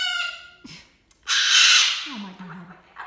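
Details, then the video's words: A frustrated pet cockatoo calling for its absent owner: a sudden loud, raspy screech lasting most of a second, after a shorter harmonic squawk, with a woman's voice at the end. "Cockatoo Turbo screams for my husband Gary when he can’t come"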